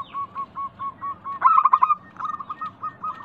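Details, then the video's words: Zebra dove song used as a lure for other local doves: soft coos spaced about every quarter second, a loud rapid stuttering burst in the middle, then more rolling coos. "Pancingan Ampuh burung perkutut lokal bikin nyaut kutut sekampung Untuk Atasi macet bunyi"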